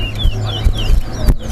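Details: Chestnut-bellied seed finch (Sporophila angolensis), a towa towa bird, in a bird whistling competition in Guyana: clear, high whistled notes sliding up and down in quick phrases, over a heavy low rumble of crowd noise and thumps.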